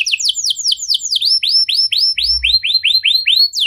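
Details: Canary singing a showy, ornate song style (cengkok mewah), a loud, steady run of quick downward-sweeping whistled notes, roughly five per second, over a faint low thump.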